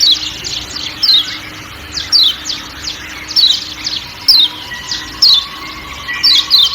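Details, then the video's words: 'Ciak ciak' calling of the Lombok kecial kuning: high, short, falling notes, a few paired, recurring about once a second amid quiet forest ambience. "Kecial Kuning Ciak Ciak Dan Suara Hutan"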